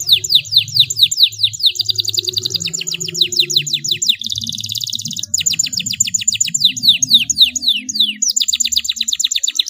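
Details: Canary song meant to train young canaries, a rolling, shooting style: rapid series of high, descending whistled sweeps repeated many times a second, with a trilled buzzy roll near four seconds and faint low background hum.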